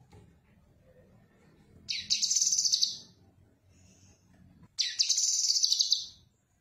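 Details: Cucak kinoi master song for teaching other songbirds: two high, dense, chattering trills of about a second each, about three seconds apart. Soft low background noise fills the gaps.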